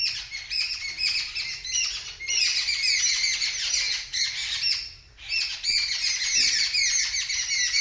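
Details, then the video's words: Loud, dense chorus of screaming birds reacting to a kitten: harsh, high squawks and rapid chattering from many birds at once, nearly unbroken apart from a short lull midway. "The Birds Are Screaming Loudly"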